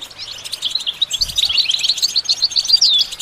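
A goldfinch sings a fast, unbroken run of high, tinkling twitters with a few buzzy, rising notes. A soft low thump sounds briefly in the background.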